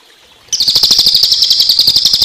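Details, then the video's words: 'Tembakan' rapid-fire song of a cililin, set against water sounds for teaching songbirds: after a quiet start, a sustained high, sizzling trill of quick even pulses runs for nearly two seconds. "Tembakan Cililin Untuk Masteran Burung Kicau"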